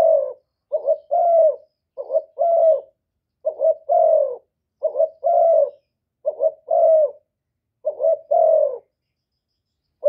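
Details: Spotted dove calling to provoke rival birds, a clean recording without background noise: seven low two-part phrases, each a short stuttering coo then a longer, slightly falling coo, repeated about every 1.4 seconds.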